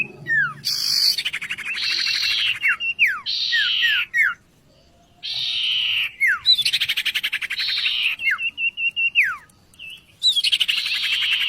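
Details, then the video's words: Oriental magpie-robin in rich, fast song, bursts of buzzy chatter alternating with clear descending whistles and brief pauses, phrases repeated every second or two over faint low background rumble. "sirtu guru vokal yang mantap"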